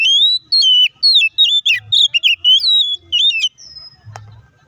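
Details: Oriental magpie-robin singing a provoking lure song meant to make another bird respond fast and sing. Loud, quick sequence of clear whistles and slurred notes, then a single held whistle and a click near the end, over faint low hum.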